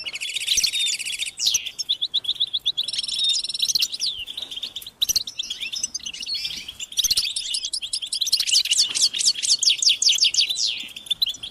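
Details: Several European goldfinches sing and chatter together, a chorus given as motivation for males to sing; opens with a harsh buzzy trill, then twittering, and ends in a rapid string of clipped, repeated notes.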